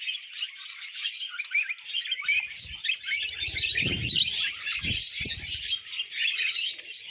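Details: Tame budgerigars chatter and warble while eating vegetables. A thick layer of high, buzzy twitter continues unbroken, with low pecking and chewing thuds in the middle.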